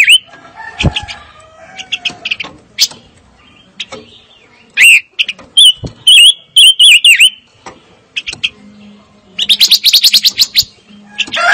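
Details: Fire-tailed myzornis in varied song: mixed high chirps, a burst of loud wavering whistled notes in the middle, then a dense rapid trill over a faint steady hum.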